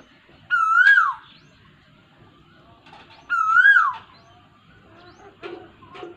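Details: Asian koel in the rainy season on 23 June 2022 gives two clear, rising-then-falling whistles about three seconds apart, followed by a few short knocking and scraping noises.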